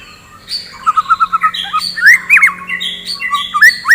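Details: White-rumped shama singing in the morning, used to stimulate fighting birds: varied whistled phrases with a rapid run of repeated notes, rising sweeping whistles and short sharp clicks.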